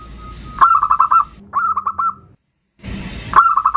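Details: Zebra dove of the bodronoyo type singing, played as a lure to get other birds singing: quick runs of staccato, slightly rising cooing notes, one short run broken by a pause, then a rustling burst before another run.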